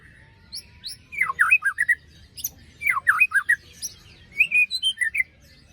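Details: White-rumped shama singing a lure song meant to stir birds that stopped singing after moult: two matching bursts of loud, rapid descending whistles with sharp rasping notes, then higher clear whistled notes. A faint background chatter runs throughout.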